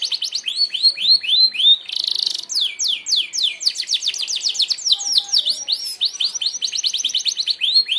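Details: Sharp 'tembakan' song from a Merlok canary, meant for mastering birds: quick arched notes, a brief rasping burst, then a long run of fast falling chips and rising whistles.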